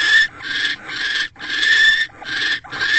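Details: Male barn owl bringing food to the female at a nest box on a January evening; near-continuous raspy hissing broken into four or five bursts over three seconds, loud and close.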